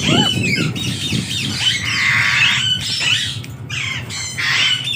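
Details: Parrots in a small home mini zoo squawk harshly and chatter in overlapping bursts, with rasping calls and brief whistled notes running almost without pause; low background rumble underneath.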